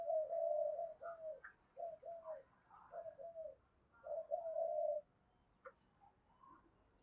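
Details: Decoy spotted dove kept to provoke rivals, cooing quietly in a series of short throaty coos at uneven intervals, with faint chirps from other birds and steady background hiss.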